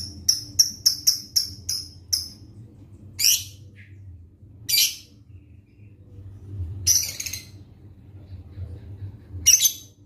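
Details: Pastel lovebird set out to sunbathe: a quick run of seven sharp, very high chirps in the first two seconds, then four harsh, scratchy squawks spaced a couple of seconds apart over a low background hum.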